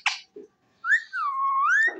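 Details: Pet ringneck parrot indoors giving a long, smooth whistle that rises, dips and rises again over about a second, preceded by a short harsh note and a brief low sound.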